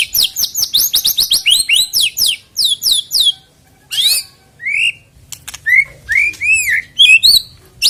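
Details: White-rumped shama song played to spur singing before a songbird contest: long fast series of high down-slurred chirps, a pause, then arched whistles and sharp clicks.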